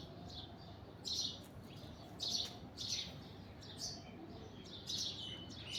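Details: Alexandrine parakeet perched on an orange tree, giving short, harsh, raspy squawks in five separate bursts about a second apart, over a steady low background hum.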